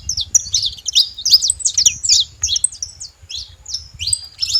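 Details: Free saffron finches feeding together in a flock; bright, sharp chirps and downslurred notes tumble out fast at first, then slow to spaced single tweets, over a soft low rumble.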